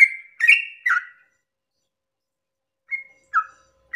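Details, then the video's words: Sooty-headed bulbul at dawn, 'ropel panjang' song used to excite other bulbuls: three quick whistled notes with harsh onsets, a pause of nearly two seconds, then a few more clear whistles. "pancingan trucukan ropel panjang subuh pagi hari merangsang emosi trucuk lain agar ikut bunyi Ropel"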